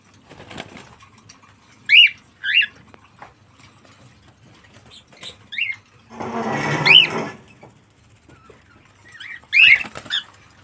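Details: Cockatiel making a series of short, sharp rising calls spaced a few seconds apart, with a burst of noisy rustling or flapping in the middle.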